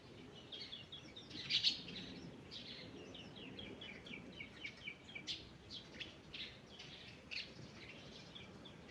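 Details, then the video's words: Morning chorus in a forest: rapid, high chirping notes follow one another in quick runs, with one louder burst of sharp calls early on and fainter birds twittering behind. "Morning Birds Singing in the Forest"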